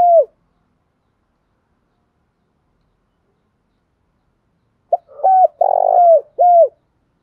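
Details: Spotted dove giving one full cooing phrase: a quick clipped note, then a sustained low mellow coo and two falling hooted notes, after a brief note at the start and a long silence.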